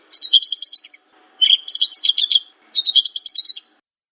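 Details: Javan bush lark, recorded as a master song for cage birds, giving three quick trilled phrases of high pulsed notes with short pauses between them.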